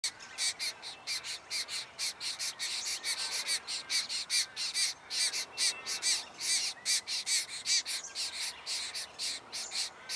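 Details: Diamond firetails (Stagonopleura guttata) in Victoria, Australia, November 2014, give quick, high, buzzy notes, two or three a second, in uneven overlapping bursts, as though several birds are calling together.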